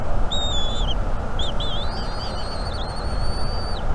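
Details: Bald eagle eaglet on a North East Florida nest cam, morning of 17 March 2021, chirping to beg for food. High, thin whistled chirps with wavering, rising-falling notes come in a series over steady wind and background rumble.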